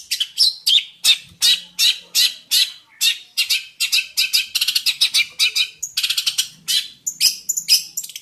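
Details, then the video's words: A Jentet bird chatters steadily with rapid, harsh chirped notes, about three per second, becoming denser and faster toward the end. "Kicau mania burung Jentet bersuara"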